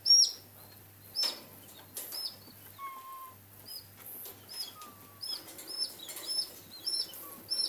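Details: White greater rhea chicks, 11 days and 1 day old, peep in high, short, down-slurred whistles, repeated irregularly, with a few longer, lower whistles and a faint steady hum behind.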